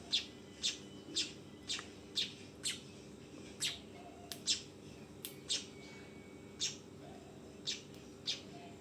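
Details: Young weaver calling: sharp, high, short chip notes repeated roughly once a second, somewhat irregular, over a steady low background hum.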